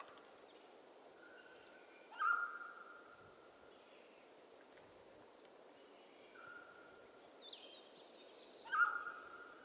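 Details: Mountain quail from western North America calling twice about six seconds apart, each a sharp loud note trailing into a sustained even tone, with a fainter similar note between and soft higher bird sounds in the background.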